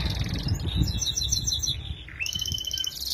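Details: Canary song used as a tutor recording for young birds: high, rapid warbled phrases, then a fast, even trill of repeated notes, over a steady low rumble.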